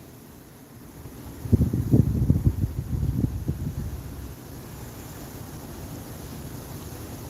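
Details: Low wind rumble with a cluster of muffled thumps and buffeting in the middle, then a steady quieter roar; no animal calls.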